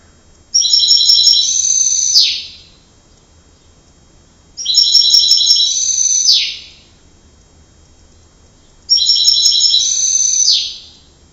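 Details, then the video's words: Canary singing three short, separate phrases about four seconds apart, each a high, fast, rattling trill that ends in a sharp downward sweep, with quiet pauses between. "canary voice"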